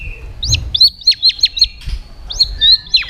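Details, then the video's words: White-rumped shama lure song: crisp high notes that sweep sharply up then down, repeated about six times in quick succession, a brief pause, then three more similar notes. "pancingan murai batu gacor bikin yang lain DOWN!!pancingan burung murai batu nyaut"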